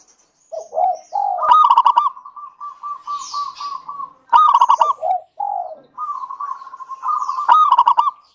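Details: Local zebra dove in full song, played to get other doves singing: low falling coos, a loud burst of rapid clipped notes, then a long run of evenly spaced short coos before further stuttering phrases.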